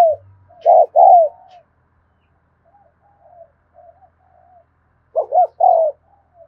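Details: Spotted dove cooing in 'thúc gù' style, recorded in the afternoon: one double coo, a stretch of very soft low murmuring notes, then another short-and-long double coo.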